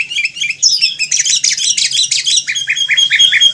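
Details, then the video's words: Sooty-headed Bulbul (Pycnonotus aurigaster, kutilang), Indonesia: bright, bubbly chirps in a dense chattering burst that settles into a run of clear, evenly spaced whistled notes, about five per second. "Suara Burung Kutilang / Sooty-headed Bulbul"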